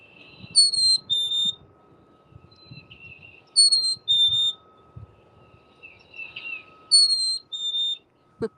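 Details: Black-capped Chickadee song recording played quietly from a device outdoors in January: clear two-note whistled 'hey-sweetie', high then slightly lower, repeated three times about every three seconds, with faint chirps and low outdoor rumble.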